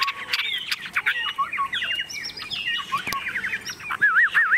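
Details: Tame caged Chinese hwamei in Vietnam, unafraid of people or other birds, singing a rich run of varied whistled phrases, slurred notes and rapid trills, ending in looping warbled whistles.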